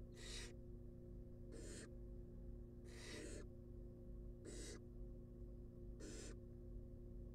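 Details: Wild barn owl chicks in a monitored nest box, being fed: five harsh, breathy hissing screeches, each about half a second, spaced over seven seconds, above a steady low electrical hum.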